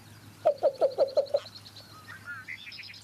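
A male Least Bittern gives six soft, low coos in quick, even succession, then falls silent. A faint higher chirping from another bird follows, with a low steady hum behind.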